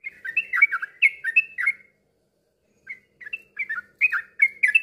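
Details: Yellow-vented bulbul singing, meant to stimulate other birds to sing: quick bubbly, gurgling warbled phrases of liquid notes, a silent gap, then another burst of tumbling chirps.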